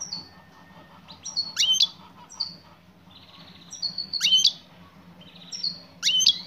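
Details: Female European goldfinch calling out to a male, giving sharp, high twittered chirps with quick sweeping flourishes, bunched in bursts about every two seconds over a quiet low background hum.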